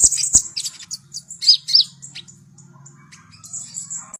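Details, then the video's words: Song of a Javan white-eye, used to train young birds to sing fast: bright high twittering and slurred chirps early, thinning to sparse notes and a thin whistle, with a constant low hum behind. "SUARA BURUNG KONIN GACOR COCOK UNTUK PANCINGAN KONIN BAHAN AGAR CEPAT NGEROL"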